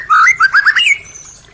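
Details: Short white-rumped shama phrase used to stimulate caged birds to sing: a quick series of rich rising whistles climbing step by step, ending in a brief upward slur.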